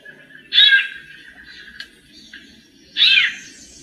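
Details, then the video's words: A female White-necked Thrush, said to be "macheando" (singing like a male), gives two loud, bright, scratchy bursts about two and a half seconds apart, with a faint thin whistle running quietly between them. "SABIÁ COLEIRA - FÊMEA MACHEANDO"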